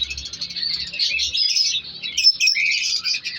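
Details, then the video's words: Aviary colony of breeding African lovebirds: rapid, shrill twittering from several birds overlapping without pause, with a sharper squeak near the middle. "Breeding Progress Colour Love birds |African love birds colony Update"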